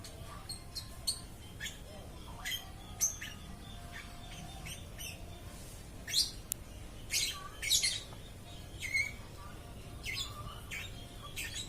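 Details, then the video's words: Lovebird twittering continuously, a run of thin high chirps and squeaks, louder harsh notes in the middle, irregularly spaced over low background noise. "BURUNG LOVE BIRD TIDAK BERHENTI BERKICAU"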